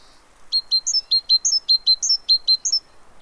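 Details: A great tit at a fat-ball feeder in Pellerey, France, on 3 March 2017 gives a quick run of high, thin notes, alternating between two pitches at about two or three per second, against a quiet background.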